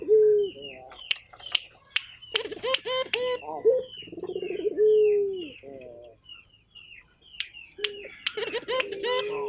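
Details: Turtle dove calling actively; drawn-out low hooting coos and rolling coo phrases, repeated several times, with sharp clicks and high chirps of other small birds in between.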